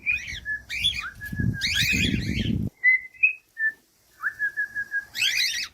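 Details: Cockatiel song for training silent birds: rough chirps and steady mid-pitched whistles over a low rumbling noise, then a quiet spell of clear short whistles and a final burst of chirps.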